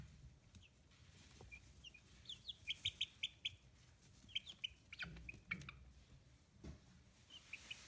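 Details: Fifteen-day-old free-range chicks in Kitahiroshima, Hiroshima, Japan, heard more sparsely: short sharp high peeps in small clusters, a quick run of clipped notes near the middle, separated by quieter gaps of faint background rustle.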